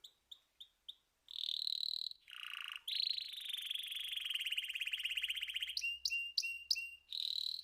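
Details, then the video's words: Canary song: a few short high chips open into long sustained trills and rolling phrases, one dipping lower and buzzier, then a fast rattling roll, crisp clipped notes and a final bright trill, all high and clear. "طيور كناري تغريد"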